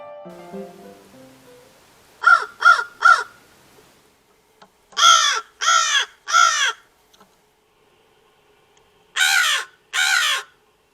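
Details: Male American crow fledgling trying out his grown-up voice, seen with fluffy throat feathers: three bursts of harsh, raspy caws, each about half a second apart, with a soft musical tone at the start.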